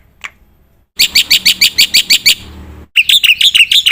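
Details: Black-winged myna song used as a training recording to make birds sing: one short note and a pause, then an even run of about eleven loud, buzzy chirps, followed by a quicker string of scratchy, high notes.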